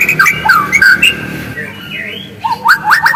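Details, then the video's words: White-rumped shama song used to provoke a caged bird into singing: varied whistled phrases with quick up-and-down sweeps, some falling slurs and harsh notes, a short lull mid-clip, then rising rapid notes; steady low hum beneath. "PANCINGAN MURAI AGAR GACOR DENGAN SUARA ASLI"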